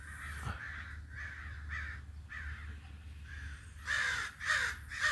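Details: Harsh crow caws, a few spaced calls at first, then three louder, closer rasping caws in quick succession near the end, over a constant low background rumble.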